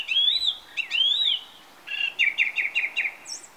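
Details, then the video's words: A song thrush sings on a summer evening atop a TV aerial: two rising fluting whistles followed by a rapid series of six repeated clipped notes and a thin high flourish. "Song thrush on a summer evening"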